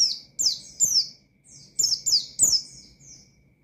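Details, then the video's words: Oriental white-eye singing in the wild-sounding ngalas style, calling out to provoke rival birds: clusters of two or three high, sharp, downslurred chirps, separated by brief pauses, with softer faint notes trailing at the end. "Burung Pleci Gacor Ngalas Nembak Mangil Lawan,Memicu Emosi Pleci Bahan"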